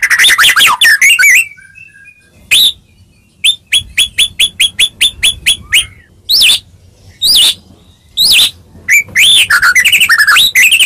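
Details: White-rumped shama song meant to make other shamas answer: varied rich phrases, then a run of about a dozen sharp, repeated whistled notes at a steady beat, followed by more loud, melodic, warbling bursts separated by short pauses.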